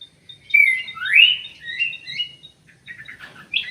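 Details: Ringed common green magpie in an aviary giving a drawn-out whistle, then a strong rising slurred note, trailing into softer warbling and a brief chatter at the end.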